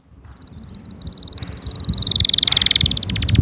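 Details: Canary song: one long tour of rapidly repeated high notes that starts quiet and swells steadily louder, the notes dropping slightly in pitch and turning into a fast, metallic roll near the end.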